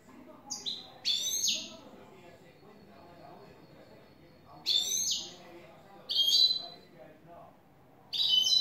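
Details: European goldfinch, a new bird, in clean "el tres vueltas" song: short bursts of sharp, high, slurred twitters, each under a second, separated by pauses of up to three seconds.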